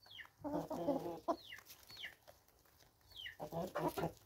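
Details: Free-range chickens recorded in South Africa in 2024, giving a run of loud throaty clucks early on and again near the end, interleaved with thin falling whistles from other birds in the background.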